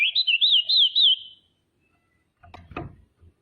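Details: Female common iora calling, a lure to make rivals respond: a clear, rolling whistle that wobbles up and down for over a second, followed after a pause by a short clatter of knocks.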